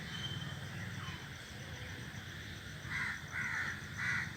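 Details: Crows in a group perched in a tree, giving three harsh, hoarse caws in close succession near the end, over a steady low hum and background noise.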